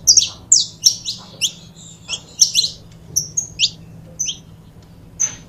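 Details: Pair of saffron finches giving sparser song for foguear: loud clustered chirps at first, then scattered single high whistled notes with gaps, over a low steady hum.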